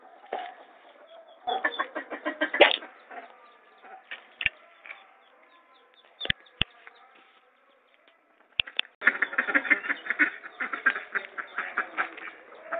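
Muscovy duck giving bursts of rapid, throaty, pulsed chatter in two bouts, with sharp clicks and knocks between them.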